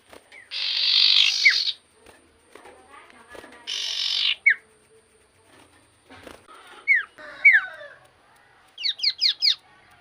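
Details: Common iora singing to provoke rivals: two harsh buzzy rasps each followed by a sharp downslurred whistle, then scattered falling whistles and a quick run of five descending chirps.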